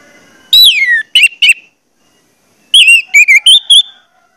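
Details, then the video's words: Orange-headed thrush song used to prompt other orange-headed thrushes to sing: a loud downslurred whistle and two short notes, a silent gap, then a warbling phrase of several wavering whistled notes. "pancingan anis merah bikin anis merah lain cepat ngeplong"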